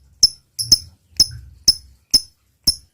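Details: Lovebird ticking calls, the style called ngetik: crisp high clicks about twice a second, one doubled, with silence between.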